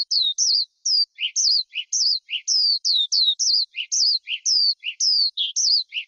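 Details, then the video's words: Skylark in song, used by bird keepers as a lure and training recording: a repeated pattern of clear, downslurred high whistles, each answered by a short lower note, about two per second. "Tiếng Chim Sơn Ca Rừng Hót Hay Nhất"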